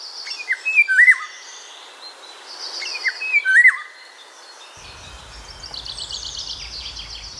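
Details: In a forest in Drenthe, Netherlands, a Eurasian golden oriole gives two rich, fluty, yodelling whistle phrases about two and a half seconds apart, over thin chatter from other birds and a low rumble near the end.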